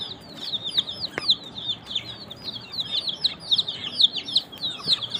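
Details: Many young chickens peep together in rapid, overlapping high whistles that slide downward, with a couple of brief clicks or taps.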